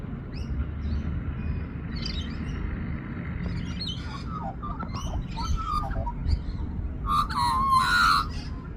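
A young Australian magpie sings a soft, rambling warble of chirps and squeaky notes, ending in a louder fluting phrase over steady low rumbling noise.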